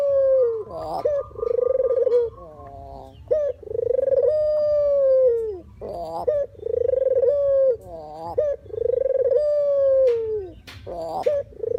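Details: Puter or deruk dove used as a lure for bird trapping: long low coos, each beginning with a purring roll and gliding down at its close. Short higher notes are heard between the coos.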